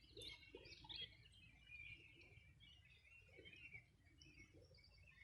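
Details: Riverside birdsong on a 2020 summer morning at the Río Bueno, Los Ríos region: a couple of loud high chirps open, followed by softer twitters and trilled phrases from several birds over the river's low rush.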